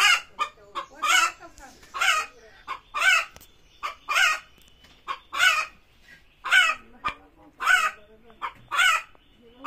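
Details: Hen calling before laying eggs: loud harsh squawks repeated about once a second, each a short noisy burst, with softer low clucks between them.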